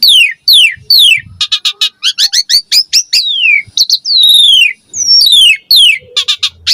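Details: Javan pied starling singing to draw responses from and tutor young starlings; loud falling whistled slurs alternate with rapid chirp runs and sharp clicks in an energetic, varied sequence.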